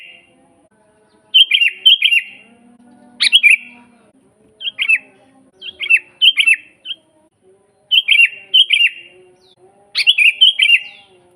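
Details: Sooty-headed bulbul singing as a master recording for training birds to sing: about nine bubbly warbled whistles in loose groups, with faint low hum underneath.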